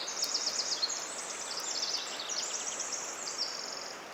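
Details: A male Pacific wren sings between nest-building trips on a cool, misty late-May morning in old-growth western redcedar forest at Ross Creek Cedars, Montana. It gives a brief, high, rapid tumbling song of tinkling trills and chips over the hiss of rain-drip and forest noise.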